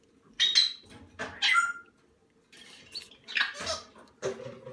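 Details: Salmon-crested cockatoo nestlings, hand-reared from the egg, uttering harsh squawks with short whistled inflections in irregular pairs, plus a low background hum.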